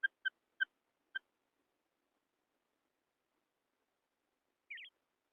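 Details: Female quail (batair) call used to lure quail for hunting in wheat fields: four short clipped notes in quick succession, then silence and one brief rising-falling squeaky note near the end; quiet background.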